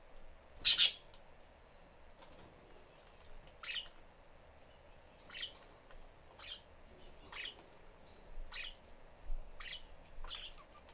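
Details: Family of pet budgerigars in a cage with the door open, young bird wanting attention; one loud harsh chirp opens, followed by about eight softer, clipped chirps spread unevenly across the stretch.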